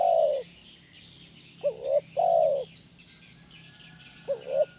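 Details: Spotted dove (tekukur) singing the kuk 1 gacor style, used as therapy audio for training birds: a low mellow coo, then a quick double note leading into a long drawn-out coo. Faint high chirping continues in the background.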